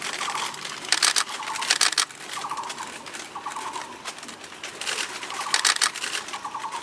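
A Fairy pitta gives paired, clear whistled notes, repeated about every second, over a steady background of loud clattering and tapping.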